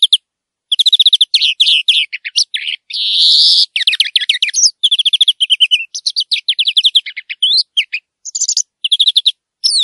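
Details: European greenfinch (Chloris chloris) singing in nature: fast twittering trills and rapid chirp series between 2 and 8k, with one drawn-out nasal wheeze about three seconds in, then more rolling trills in short bursts, clean background.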